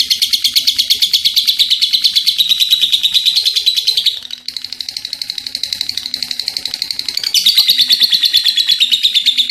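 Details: Lovebird in lively form giving a long ngekek: a continuous, rapid, shrill pulsing chatter, briefly dropping to a quieter stretch midway before returning at full strength.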